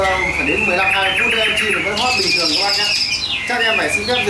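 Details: Caged Chinese hwamei sings a sustained run of warbled whistles and sharp upslurred notes, with a man's voice faintly audible underneath the loud birdsong.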